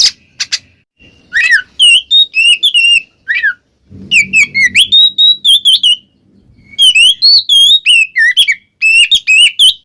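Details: Black magpie-robin in ngeplong style, used to provoke a silent bird into singing: loud, clear whistled phrases, bright and varied, with quick rising and falling notes in rapid bursts; a brief low rumble midway.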